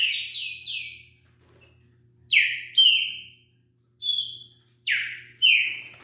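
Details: Wild green-winged saltator singing at a fast rate, said to deliver 40 songs per minute. Loud, clear whistled notes slur downward in quick groups of two or three, with short pauses between bursts. A faint low hum sits underneath.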